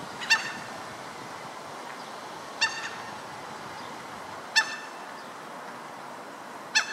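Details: Common gulls (Larus canus canus), a pair with a juvenile wandering in a Stockholm street on July 15, 2014, give short, sharp, harmonic calls, single and spaced about two seconds apart, over steady background hiss.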